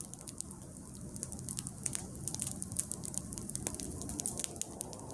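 A crackling fire with a constant low rumble and sharp pops and patter throughout, and no animal sound heard.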